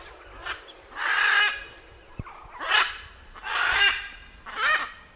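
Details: Harsh, hoarse macaw screeches, four drawn-out rasping calls spaced roughly a second apart, each swelling and fading, with a faint thud between them.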